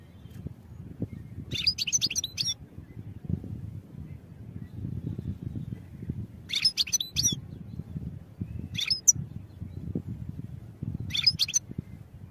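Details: Short separate phrases of European goldfinch song for training, each a compact burst of high twittering chirps lasting about a second, repeated four times with gaps of quiet low background noise between them.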